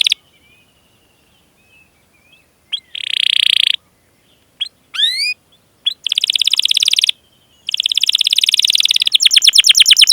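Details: Domestic canary song meant as a lure for other canaries: scattered short chirps and a rising sweep, then bursts of dense buzzy trills separated by brief pauses, ending in rapid repeated notes.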